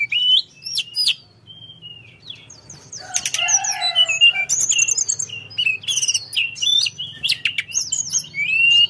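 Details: Energetic Sunda forktail song of piercing whistles, dense twittering chatter and hooked high notes delivered in quick bursts.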